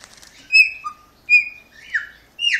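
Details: A pet chopi blackbird (Gnorimopsar chopi), recognising and greeting its owner after a bath, gives loud, clear whistles: four sliding phrases, mostly falling, about half a second apart; no other sounds.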